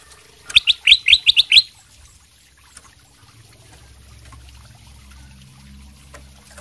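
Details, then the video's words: Singing ruby-throated bulbul, kutilang emas sutra, used to coax other birds into answering: one quick run of about seven loud, rising whistled notes, followed by a soft low hum. "kutilang emas sutra gacor buat pancingan langsung nyaut"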